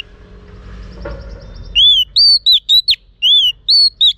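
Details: Female Oriental magpie-robin calling to stimulate males: a bright arched whistle, then a quick run of four short sharp whistled notes and a final upslurred whistle and arched note, loud and clean over faint background hiss.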